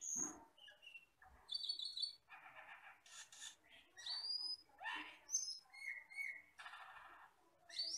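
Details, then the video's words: Asian glossy starling, a wild forest bird described as jet black with red eyes, singing in a tutor recording for songbirds: a varied run of high thin whistles, rising slurred notes, and short harsh buzzy bursts with brief pauses between phrases. "MASTERAN BURUNG HUTAN CAMPERLING (CUCAK KELING)"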